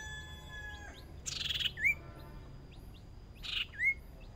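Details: Hwamei decoy bird, new to contests and on its first small practice round, twice gives a grating buzzy burst ending in a rising then falling whistle, about two seconds apart, with faint chirps in between.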